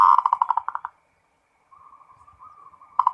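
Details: Full ngerot song of a local zebra dove, said to raise breeding drive: loud rapid pulsed notes slowing to a stop, a quiet wavering trill, then loud pulses returning.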